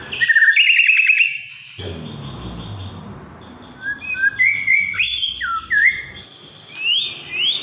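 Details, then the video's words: White-rumped shama song used as a master and lure recording to get young shamas singing: rich, varied whistled phrases, some sliding up and others dropping, with brief rapid chattering notes between them. "MURAI BATU BAHAN AGAR JADI BUNYI GACOR PLONG"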